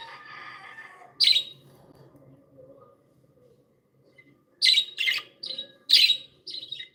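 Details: Happy, playful pet budgerigars: a soft warble, then one sharp chirp, a pause, and a quick burst of five or six harsh, scratchy chirps near the end, over a faint indoor hum.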